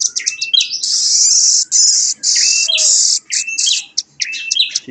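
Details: Young velvet-fronted nuthatch delivering a fast 'nembak' song: quick high chips and descending twangy notes, broken by long harsh, hissing buzzy bursts before the chipping resumes.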